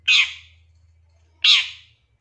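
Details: Long-tailed shrike lure call from a 2023 champion bird, used to provoke a shrike into singing and agitation: two loud rasping squawks about 1.4 seconds apart over a faint low hum.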